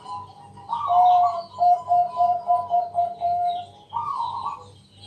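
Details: A Bangkok zebra dove singing at night to lure others: a rolling opener, then rapid even short coos about four per second and a closing rolling phrase. A steady low hum runs beneath.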